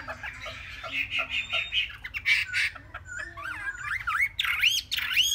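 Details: Three-month-old caged Chinese hwamei singing: a row of rapid scratchy notes, then loud looping whistles that rise and fall in smooth waves toward the end, over a faint steady hum.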